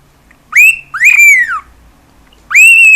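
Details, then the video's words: Pet cockatiel making noise at home: three loud whistles that sweep upward and arch over, separated by a near-silent gap of about a second. "CALOPSITA(KIKO) CANTANDO E FAZENDO BARULHO!"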